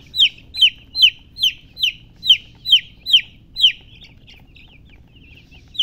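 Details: Baby chicken chicks chirping: loud, clear, downward-sliding high peeps repeated about every 0.4 seconds, nine in a row, then a quiet stretch with faint softer chirps and low background rumble.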